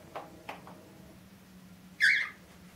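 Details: Pet cockatiels from one family, indoors, playing with a new toy: a few soft taps and clicks, then a single loud, sharp, harsh chirp that quickly fades, with a low steady room hum beneath.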